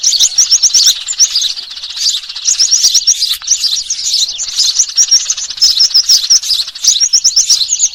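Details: Lure recording of noisy Eurasian tree sparrows against small birds for bird trapping: thick, restless high-pitched twittering with sharp repeated chirps, steady and dense throughout, clean quiet background.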